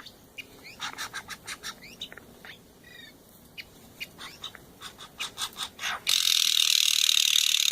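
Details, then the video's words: Steller's jay family of male, female and grown chick visiting in the morning, relaxed, giving strange noises: rapid series of sharp clicks and short chirps, some buzzy down-slurred, about three per second, cut off by a loud rushing noise. "Steller's Jay family being mellow and making some of their strange noises."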